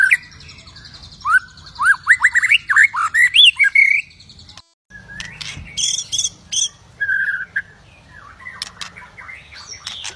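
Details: Fired-up white-rumped shama, singing to stir other shamas into song and fighting, pours out a fast, jumbled series of rising and falling whistles for four seconds. After a short break come scattered softer whistles and chirps.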